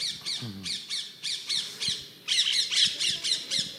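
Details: Rose-ringed parakeet, an exotic species living in Paris, played back during a city nature talk: harsh, screeching squawks repeated rapidly in bursts, about four per second, with a pause before a louder run; low murmur of a room beneath.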